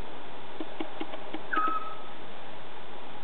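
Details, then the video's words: A scops owl gives one brief, plain whistled hoot that drops slightly in pitch, heard over a low steady hum and a few soft ticks. "scops owl calling"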